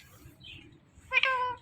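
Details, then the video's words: Pet talking rose-ringed parakeet: after a soft, quiet high note comes a loud, nasal, meow-like cry lasting about half a second and rich in harmonics, heard in a quiet room. "Talking Parrot Saying Mummy Paapa"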